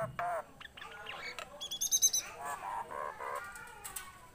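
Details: Softer phrases from a tame Nias hill myna kept in captivity. Nasal notes, a thin high whistle and a quick run of chattering pulses lead into mellow buzzy tones.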